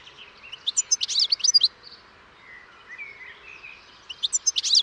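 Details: European goldfinch in song: a dense burst of sparkling high twitters, a quieter gap with soft wheezy notes, then another tinkling burst starting up.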